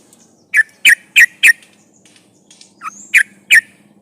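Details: Yellow-vented bulbul lure song, played to make other trucukan sing: a run of four sharp, slurred chirps half a second apart, a pause, then a lower note and two more chirps.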